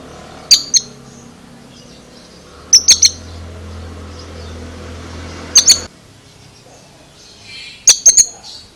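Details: Oriental magpie-robin giving an unusual, strange-sounding vocalization: sharp, very high clicking notes in tight pairs or triplets, spaced about two to three seconds apart over a quiet low hum.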